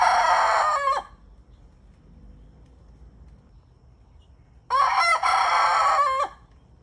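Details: A rooster crows twice, each a loud rasping cock-a-doodle-doo lasting over a second, with a quiet pause of several seconds between them.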